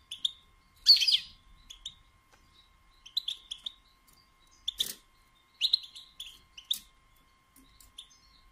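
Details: European goldfinch female batbata, said to stir males to song and mating. Scattered short, bright twittering chirps mix with a couple of brief harsh buzzy bursts, spaced irregularly over several seconds.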